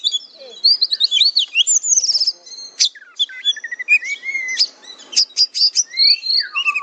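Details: Kacer (Oriental magpie-robin) singing for training: rapid sequences of high rising and falling whistles, clipped chips and short rattles, with a brief pause before looping, sweeping notes at the end.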